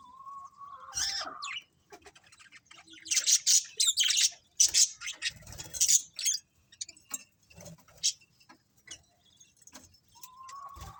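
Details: Colourful budgerigars in a colony: a short rising whistle, then clusters of loud, high scratchy chirps, with another rising whistle at the close.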